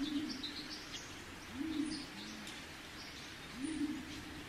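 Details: Pigeons cooing outdoors: low, soft coos repeated roughly every two seconds, each a short rolling note, over steady background hiss with faint high chirps from other birds.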